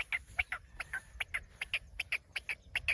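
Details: Kept black francolin calling in rapid harsh, clipped notes, about a dozen short bursts in three seconds at an uneven beat, with low background rumble.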